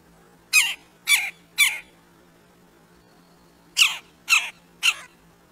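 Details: Two red-breasted woodpeckers at a squirrel feeder giving harsh, squawky calls, three in quick succession, a pause of about two seconds, then three more; a steady low hum runs underneath.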